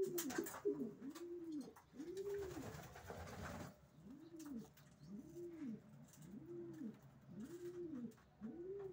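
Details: Racing pigeon coos in a steady series, each a smooth rising-then-falling note repeated roughly every second. Hissing noise covers the first few seconds, and scattered clicks follow.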